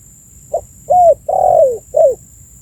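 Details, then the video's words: Single calling phrase of a spotted dove, used to attract birds: a brief soft opening coo, then a level mellow coo, a long coo that drops in pitch at its end, and a closing downslurred coo; quiet background with thin high hum. "suara burung tekukur full memanggil cocok untuk pancingan"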